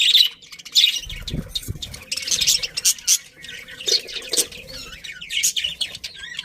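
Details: Pet budgerigars in a colony squawk and chirp happily, harsh high chatter mixed with whistled notes and low knocking sounds near the first two seconds.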